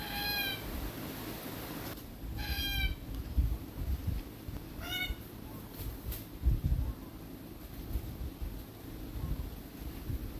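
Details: Red-tailed black cockatoo feeding on Beach Almond seeds in Australia. Three brief, rasping calls come in the first five seconds, followed by quiet stretches of low rumbling and scattered knocks.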